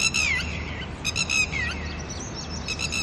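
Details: Early morning with chicks nearby, a disturbed pair of red-wattled lapwings gives a few strident, falling alarm cries, two or three close together, then fainter notes fade out against a steady low background hum.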